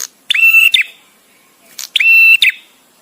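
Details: Visiting male bar-winged prinia utters two strident, buzzy phrases about one and a half seconds apart, each lasting roughly half a second, the pauses suiting song tutoring.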